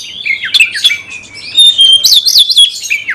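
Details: Oriental magpie-robin in continuous song, used to stir other magpie-robins into an aggressive fighting response: bright high whistles and quick slurred notes, with a sustained pure whistle and rapid warbled phrases in the second half.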